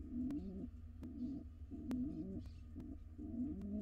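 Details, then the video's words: Wild pigeons, a courting pair at a nest box; low, rolling coos in short repeated phrases under a steady low background hum. "Pigeon pair court each other."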